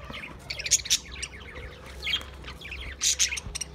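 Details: Recorded 28 April 2023, budgies twitter in two loud bursts of shrill chirps, at the start and near the end, linked by softer, rapid warbling notes.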